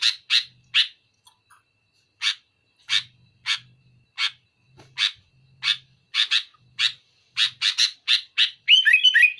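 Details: Sooty-headed bulbul pressing a rival with loud, rapid song: short harsh broadband bursts repeated quickly and unevenly, about three a second, ending in a tumbling burst of whistled notes.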